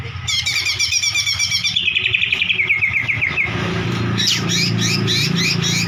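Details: White-rumped shama song aimed at provoking a silent bird to sing: a long fast run of repeated chips stepping downward, then a rhythmic series of high sharp double notes, all over a persistent low hum.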